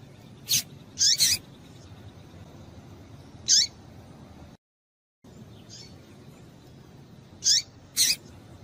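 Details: Female double-collared seedeater giving calls meant to stir males into song: scattered sharp, high chirps, some doubled, with downward-slurring tails, separated by long quiet gaps and one brief total silence.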